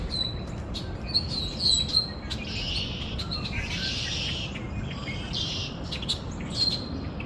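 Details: Outdoor chorus of birds chirping, with repeated thin whistled notes early on, dense twittering in the middle, sharp clicks and a steady low background hum.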